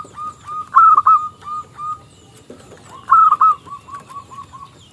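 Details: Local zebra dove, small crystal voice, singing as a lure for rival doves; each phrase starts with a loud rolling coo followed by a descending series of soft, evenly spaced coos.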